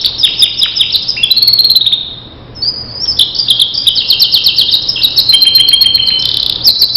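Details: Starblue canary singing as a training model: varied fast trills and chirps, a brief softer gap, then resumed bright rolling phrases at shifting pitches.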